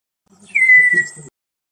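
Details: Male chestnut-crowned antpitta at Rio Blanco Nature Reserve, Colombia, giving a courtship-feeding whistle to a female while carrying food; one sustained, pure whistle with a slight falling end, accompanied by faint low murmuring voices.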